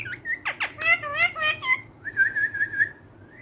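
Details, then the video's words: Green pet parrot speaking Urdu while playing with a hand, producing a quick run of speech-like syllables with wavering tones, followed by a trilled whistle repeated several times, indoors. "Amazing Urdu Bolne Wala Tota || Green Talking Parrot"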